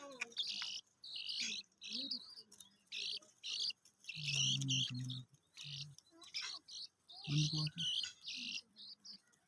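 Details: Several black francolin chicks peeping: clusters of high, thin chirps repeated in short bursts with brief gaps, while a man's low voice speaks twice underneath.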